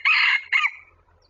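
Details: Wild red junglefowl coming in to a decoy bird used for trapping: a loud, harsh crow in two bursts, a longer first phrase then a shorter second one that trails away, with nothing else heard.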